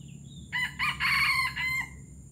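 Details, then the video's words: Crow of a junglefowl from Palembang, called gerabas: a faint thin note, then four hoarse bursts with a long central phrase and a short final segment, lasting about 1.3 seconds, with soft background rumble. "Ayam hutan palembang gerabas gerabas"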